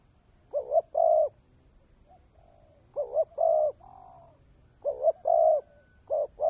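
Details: Spotted dove decoy with the dense 'kèm dày' song: mellow double notes followed by held coos, one phrase trailing into a faint softer echo note, repeated roughly every two seconds.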